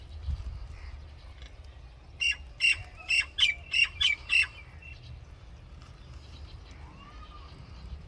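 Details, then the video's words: Common myna singing: a burst of about seven harsh, chattering notes in quick succession over two seconds, with low rumbling background noise. "Common Myna Bird Song"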